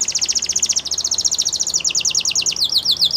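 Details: Belgian canary singing, used for canary training: long rapid trills of high, clear notes repeated about twice a second, sliding gradually lower and changing into faster downward-swept syllables near the end.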